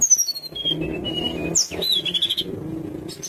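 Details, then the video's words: Lively Sunda minivet song used to stir rivals into calling back: a run of clear whistled notes stepping down in pitch, then a rising slur and a short trilled phrase over constant low murmuring noise. "Tledekan gunung gacor bikin lawan emosi langsung bunyi"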